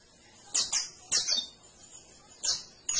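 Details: Canary song in short high bursts: paired sharp chirps, a pause, then another chirp and the start of a further note.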